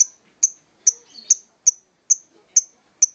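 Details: Lovebird performing ngokop song: a steady run of eight piercing high-pitched ticks, each a brief bright chip spaced roughly half a second apart, with a little quiet chatter in the gaps.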